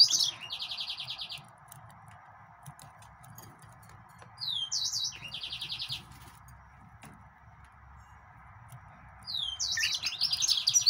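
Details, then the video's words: Yellow-fronted canary, or Mozambique canary, repeating phrases of high slurred whistles followed by rapid buzzy trills, three phrases spaced several seconds apart, with a low constant hum in the background. "طائر الياسمين كنار الموزمبيقي GreenSinger"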